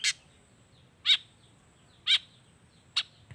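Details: Long-tailed shrike voicing harsh, rasping notes as part of a wild-bird-filled lure song to get silent shrikes singing; four short grating bursts, spaced roughly a second apart, against quiet surroundings.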